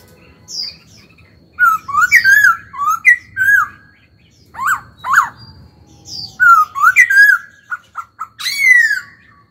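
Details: A young captive laughingthrush, stimulated to sing during training, gives loud, rich whistled phrases that slur up and down, mixed with a few sharper, harsher notes, in bursts about a second apart.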